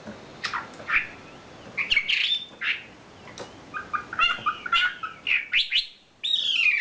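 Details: Varied filler song (kicau isian) of a champion wambi bird: scattered sharp notes, then a lively mix of whistled slurs and chips ending in a sustained high rising whistle.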